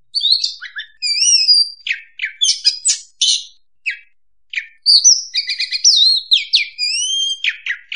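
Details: Trapping lure of an oriental magpie-robin singing: clear high upslurred whistles alternating with short scratchy clicks and rapid notes, broken by brief silences, then long sweeping whistled phrases.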